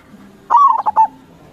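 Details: Local Indonesian zebra dove (perkutut) singing actively, played as a lure to draw answering doves: one phrase opening with a drawn-out, slightly falling cooing note, then three quick, separate staccato coos.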